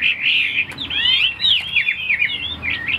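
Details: Pet hwamei, tamed and caged, pours out a brisk bright warble, sweeping whistled slurs and quick flourishes running almost without a break.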